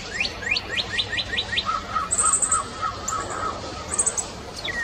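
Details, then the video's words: Red-crested cardinal singing a quick series of six clear upslurred whistles, then a run of steady mid-pitched notes, while other birds add high, thin chirping trills in the background. "Cantoria do Cardeal Vermelho"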